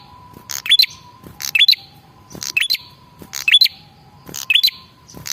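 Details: Male red-headed prinia giving a lure call: paired dry chips ending in a quick rising whistle, five bursts spaced about a second apart, with a faint hum underneath.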